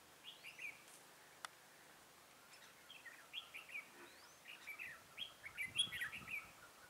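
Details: Red-whiskered bulbul at a bulbul trap, 23 October 2017; bright, lilting warbled phrases repeated in quickening succession, with a sharp click near the start and rustling below.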